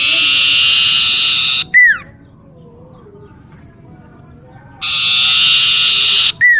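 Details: Common iora in a home garden, singing busily: two harsh, rasping buzzes each over a second long, each ending in a steep downward whistled slur, with a quiet gap between.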